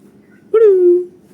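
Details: Kept domestic pigeon chick, the first chick raised by its keeper, giving a single drawn-out tonal squeal that starts sharply, holds steady and sags slightly in pitch over about half a second, against a quiet background.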